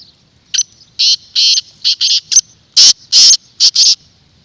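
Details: Black francolin calling, a sound used to lure wild francolins: two clear runs of loud, rasping notes. The first run is five choppy syllables, the second four harsher, louder ones, in a quiet setting.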